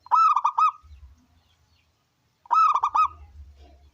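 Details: Local wild zebra dove, a loud singer played to prompt other doves to sing, gives two quick rolling coo phrases about two and a half seconds apart, with a soft low rumble after each.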